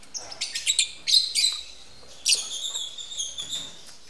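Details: Captive lovebirds mating at a breeding facility; dense strings of high, scratchy chirps and squeaks pour out in two busy bursts separated by a short lull.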